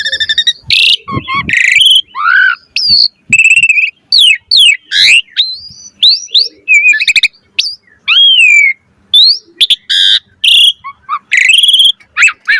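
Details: Asian pied starling in full-variety chattering song, described as gacor mompa, used as a master recording to train birds: a rapid jumble of loud whistles, rising and falling slurs, and harsh buzzy bursts with brief gaps between phrases.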